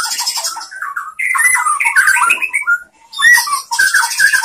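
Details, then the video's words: Shama song used to train other shamas: warbled mid-pitched phrases with harsh squawky notes and bursts of high buzzy chatter, with a brief pause. "SUARA MURAI BATU bikin GACOR BONGKAR ISIAN ¦ MASTERAN MURAI ¦ SHAMA BIRD"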